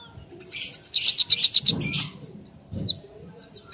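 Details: {'caption': 'Scaly-breasted munia, a tame caged bird in full song, delivering a run of rapid rattling notes, about four a second, that flow into long, thin, high whistles bending down at the end.'}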